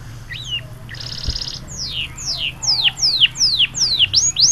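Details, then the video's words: Yellow canary from Trinidad singing, a few short chirps and a buzzy trill followed by a series of clear descending whistled notes about every half second over low hum. "Yellow singing canary"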